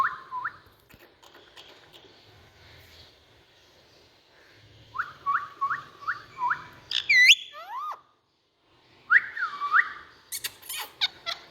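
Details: Pet Indian ringneck parakeet: a run of five quick, rising-falling chirps, then a sharp upward whistle and squawks, with a short pause before more harsh, sweeping calls.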